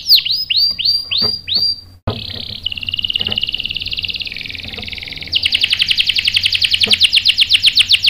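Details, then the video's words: Canary song used as a lure to make other canaries answer and roll: a run of swooping downslurred whistles, then steady buzzy trills, ending in a quick pulsed roll. "PANCINGAN KENARI GACOR bikin EMOSI jadi NYAUT NGEROL TAJAM | CANARY SINGING"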